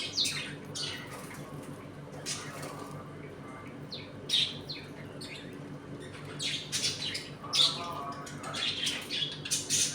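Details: Pet budgerigars kept as a home colony, eating and playing; sparse squawks and short chirps with quiet gaps, faint voices, and a constant low hum.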